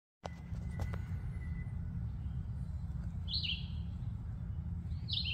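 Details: Red-eyed vireo singing on 20 May 2024 at Sheldon's Marsh in Huron, Ohio. Two brief, slurred, downward-sweeping whistled phrases come about two seconds apart over heavy low rumbling background noise, with a few clicks near the start.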